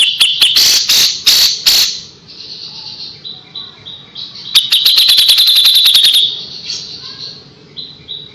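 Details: Pied triller tutor song for white-rumped shamas: opening harsh high bursts, soft thin whistles, then a sharp rapid trill around the middle, followed by quieter scattered notes.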